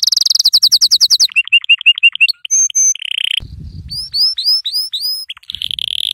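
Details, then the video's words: Singing yellow canary for tutoring young canaries: high rapid roll, bouncing mid-pitched notes, short whistled tones, a brief dry trill, upward-flicking whistles with low knocks, and a final fast trill. "أقوى تغريد كناري أصفر للتسميع صغار الكناري"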